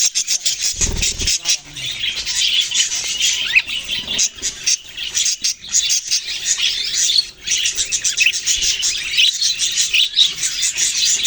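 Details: Many budgerigars, Australian parrots, fill the air with rapid high chirping and scratchy chatter. Occasional short low thuds sound near the start and in the middle.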